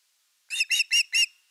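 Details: Osprey at nest #3 on an August evening with a fish: four slurred, whistled chirps in quick succession, each slightly drawn out.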